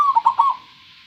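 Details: Local zebra dove with a clear voice, heard after a sharp click at the start: a brief burst of three or four soft, rolling coo notes on a steady low pitch, fading out quickly.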